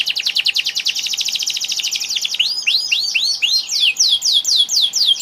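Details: Canary singing a fast, dense trill of repeated high notes that shifts into a series of swooping descending whistles, each roughly a third of a second apart.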